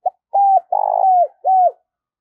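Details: Decoy spotted dove luring wild birds with its call: a short clipped note, a smooth level coo, a long throaty trembling coo sliding downward, then a final arched coo, steady and clear with no other sounds.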